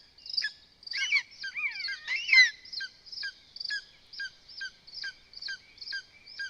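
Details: Lesser spotted eagle nest in Zemgale, Latvia, with chicks as the mother feeds them voles. A tangle of squealing, harmonic-rich calls opens, then short sharp chirping notes repeat at a steady rate of about two per second.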